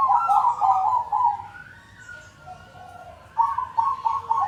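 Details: Several zebra doves calling as a group, played to coax silent doves into singing; rapid warbling coo phrases start loud, fade into softer distant calls, then return in clipped repeated bursts.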